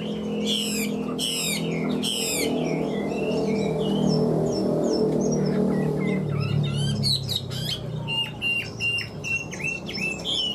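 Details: Chinese hwamei kept in a cage, newly moulted and big-bodied, delivering loud, rich whistled phrases, some rapid and trilled, others sliding up and down, in bursts at the start and again near the end, over background music and a low hum.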